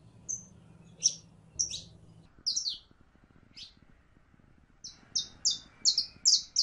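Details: A female canary in heat calls to a male for mating with scattered high, clipped chirps at first, then a quick even run of bright notes at the end. A faint low hum sits underneath early on.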